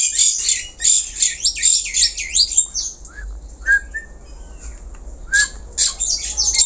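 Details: Lively black-collared starling song, meant as a lure for other birds: dense bursts of harsh, scratchy high notes and squawks, a quieter middle stretch with a few short whistled slurs, then renewed rapid chattering.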